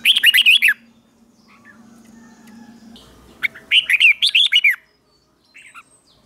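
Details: Morning song of a red-whiskered bulbul trained for contest singing: two fast phrases of five or six clear, bouncing whistled notes, separated by a few seconds of low hum and quiet.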